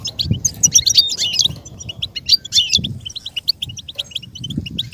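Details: Goldfinch song offered as a model for a goldfinch to imitate: fast tinkling, twittering high notes with quick whistles, over a noticeable low rumbling background.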